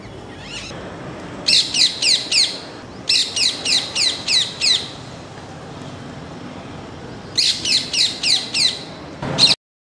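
A parakeet gives harsh, high screeches in quick runs of four to six, each burst separated by a short pause, over a steady low background hiss.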